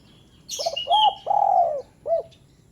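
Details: One spotted dove phrase, played to prompt lazy doves: stuttered low opening, a rounded coo, a long even croon and a short final coo, with loud high chirps and a whistle from other birds over the start.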